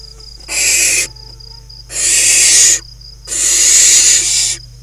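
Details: Five barn owl nestlings playing inside a nest box in Hula Valley crop fields, northern Israel, June 2020; three long, loud, broadband hissing screeches, each about a second, with short pauses and a faint steady high buzz behind.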